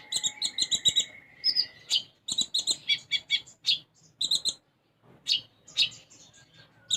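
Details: Actively singing sunbird with a song filled with sparrow-like phrases (isian gereja): a long thin level whistle opening, followed by rapid, evenly spaced high chirps in quick bursts with short gaps between them.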